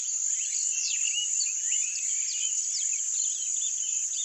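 Rusty-collared Seedeater song: a rapid, varied jumble of sweet slurred and chipping notes, set against a steady high insect-like hiss.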